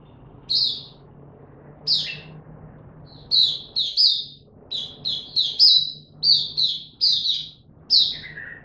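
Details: Oriental white-eye, known locally as mata puteh, singing on 3 January 2022 while building up form: bright high chirps, at first spaced, then tumbling into quick clustered twitters ending on a lower slurred note; soft low hum behind.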